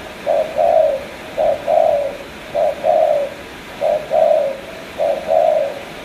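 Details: Spotted dove from Cà Mau giving a 'tú' style coo: five low, mellow two-part phrases, a short hoot followed by a longer rolling coo, repeated about every 1.2 seconds against a faint steady hiss.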